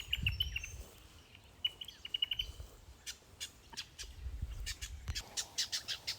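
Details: At Lake Samsonvale, south-east Queensland, in the morning, a noisy Brown honeyeater gives loud, bright chirps and sharp whistled notes in quick bursts, ending in a run of rapid clipped notes, over low handling rumble.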